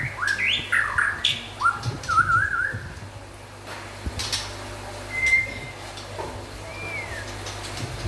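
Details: White-rumped shama, local and forest birds, giving a few twisting whistled phrases early on, followed by quieter spaced single whistles and background clicks.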